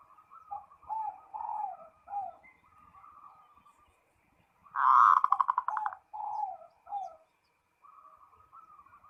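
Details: Zebra dove calling a rival: series of soft warbling coos near one kilohertz, with a louder burst of rapid clicking notes midway, then more short cooing phrases; several birds may be calling.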